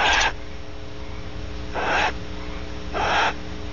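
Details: After mating, a female Barn Owl at Starr Ranch in California gives three rasping, airy wheezes, one at the start and two more roughly a second apart, with a faint low hum behind them.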